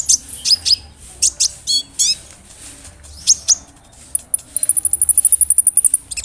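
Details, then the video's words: Brown-throated sunbird, a large-bodied bird singing actively, used as a lure to agitate other sunbirds: high thin chirps and downslurred notes, then a fast even trill of about twenty sharp ticks near the end. "PANCINGAN KONIN GACOR BODY BIG SUARA NYES BIKIN KONIN LAIN TAMBAH EMOSI"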